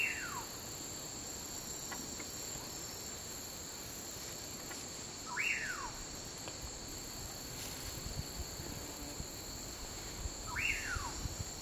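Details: A male Common Pauraque calling at dusk in the lowlands of Guatemala gives its whistled call about every five seconds, a quick rise then a long slurred fall, over a steady buzz of insects.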